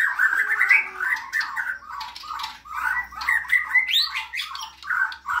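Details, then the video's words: Energetic, gacor-style outpouring from a Borneo white-rumped shama: dense run of harsh chattering and squawky notes mixed with short whistles and one sharply rising note, nearly continuous. "Murai bordan gacor"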